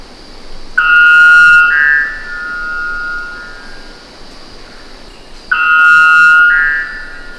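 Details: White Bellbird of Guyana, South America, giving two loud, ringing, metallic two-part calls about five seconds apart, each a held bell-like note sliding into a second tone, over a steady insect hiss.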